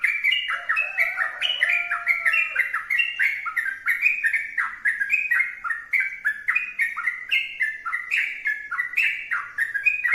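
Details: Yellow-vented bulbul singing energetically: a continuous run of rich, loud whistled notes stepping up and down in short phrases, delivered without pause over about ten seconds, with no other clear sounds.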